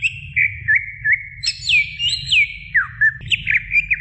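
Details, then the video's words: Greater green leafbird female calling the male: a varied chain of clear whistles, some swooping down sharply, others looping upward, delivered rapidly over a low background rumble. "Suara Cucak Ijo Betina Memanggil Jantan"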